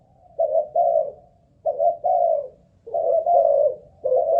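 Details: ['Caged spotted dove used as a ground decoy, Malaysian stock, sounding a stamina test: gentle low coos in doubled notes, three phrases with longer gaps between them, faint room hum.']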